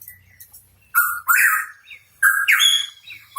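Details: Hooded pitohui, known locally as cucak rawa papua, singing actively: two loud phrases, each a level whistled note around mid pitch running into a harsh, rising, buzzy slur, separated by a second of quiet.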